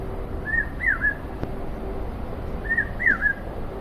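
An Indian peafowl gives a two-part call, a short note then a louder falling wail, twice about two and a half seconds apart, over a low steady hum.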